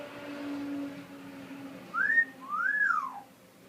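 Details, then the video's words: Indoors, a pet talking parrot gives a two-part whistle after a stretch of low background noise: a brief upward slide followed by a longer arched whistle that drops away at the end "Birds say the darndest things"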